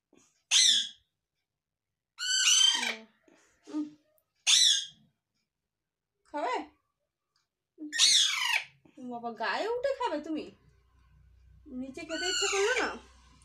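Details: Baby Alexandrine parakeet making short sharp squawks spaced a second or two apart, then longer wavering, grating calls toward the end, with faint low hum underneath.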